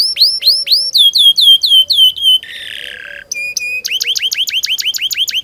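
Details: Canary song for teaching young canaries: rising whistles then falling slurred notes, a grating buzzy phrase, and a rapid pulsing series of rising chirps repeated about four per second.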